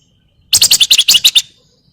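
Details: Flamboyan in full voice giving a crecetan chatter, used as training song for other birds: one rapid burst of about nine harsh, buzzy chips lasting under a second, loud and close, then silence.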